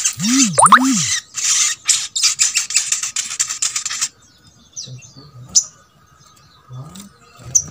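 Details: Sogok ontong song for prompting reluctant birds of its kind to sing: a rapid, shrill chattering run of high notes lasting about four seconds, opened by low swooping tones, followed by quieter scattered chirps.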